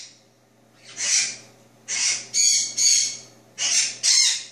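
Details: A two-year-old male pet Jenday conure, recorded at 3:31 AM on 27 March 2014 while licking his beak after drinking bird milk, gives six harsh, raspy half-second screeches in quick irregular bursts with short gaps.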